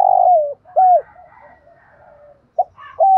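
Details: Spotted dove calling, a recording played so decoy birds learn to coo back: a rough sustained coo sliding downward, a short arched note, soft murmured coos, then further brief loud notes.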